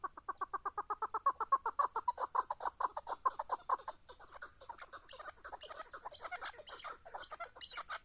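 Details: Chukar partridge giving a fast, rhythmic series of hard chuck notes that start evenly and loud, then break into a looser, higher-pitched chattering toward the end, about four notes per second.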